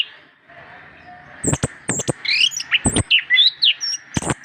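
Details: Orange-headed thrush, a master track for stimulating reluctant birds: after a quiet start, a fast jumble of high whistled notes, twisting slurs and sharp clicks, over a constant low hum.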